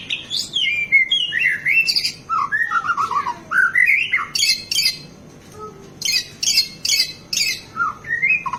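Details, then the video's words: Energetic white-rumped shama song packed with fills, meant to rouse other birds and train captive singers: rapid varied whistles, slurred descending notes and bursts of harsh, scratchy phrases, with a short pause midway. "MURAI BATU Gacor Full isian bikin emosi burung PASTOL // cocok untuk master isian burung"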